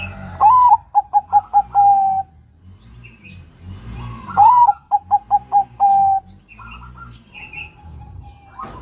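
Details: A young male zebra dove (Geopelia striata, Bangkok perkutut) gives two phrases, each a rising note followed by a quick run of four or five soft cooing notes and a drawn-out ending. A faint higher chirp sounds behind.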